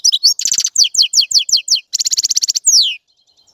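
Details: Lively European goldfinch song: quick high chirps running into fast buzzy trills, then a sweeping descending note before falling quiet.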